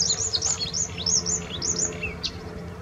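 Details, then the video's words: Bluethroat song at the Offstein settling ponds: varied high chattering phrases of arched, sweeping notes and short rising slurs, fading toward the end, over a low steady rumble. "Blaukehlchen singt"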